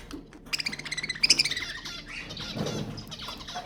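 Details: Budgerigar song meant to stimulate breeding: a quick run of clicking, rising notes followed by rough, buzzy chatter and a low murmur in the background.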